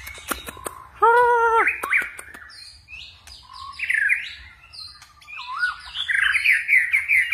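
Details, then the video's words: Forest-style singing by a white-rumped shama that keeps changing its voice: a harsh nasal note with sharp clicks, then fluting whistles and twisting warbled phrases. "chòe lửa hót giọng rừng ,đảo giọng cực phê"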